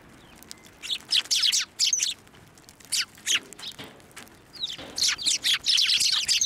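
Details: Sparrows at a Tenmangu shrine flying onto a hand to be fed, 11 March 2024: sharp, slightly downslurred chirps in irregular bursts, growing denser and more continuous toward the end.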